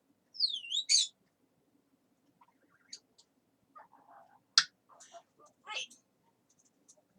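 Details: Pet talking parrot chattering indoors: a high wavering whistle and a sharp squeak, then scattered soft murmured syllables and clicks, with short speech-like bursts toward the end.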